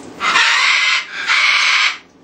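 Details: A pet double yellow-headed amazon parrot talking, saying "hello" in two harsh, raspy, gravelly syllables in quick succession, each under a second, after being prompted to say hello.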